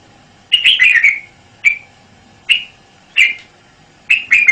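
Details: Red-whiskered bulbul song: an opening run of quick liquid warbled notes, then short clear whistled notes repeated roughly once a second, ending with a doubled chirpy phrase; background otherwise quiet.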